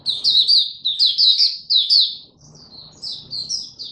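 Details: Oriental white-eye (mata puteh) caged and singing in display, 26 November 2022: loud, rapid, high twittering phrases that soften into lighter, sparser notes over a low background hum.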